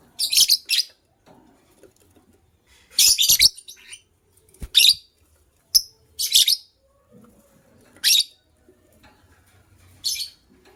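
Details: A pair of white lovebirds chirping in the morning: loud, shrill, high bursts of rapid chatter repeated every one to two seconds, with soft clicks and rustles between calls in a quiet room.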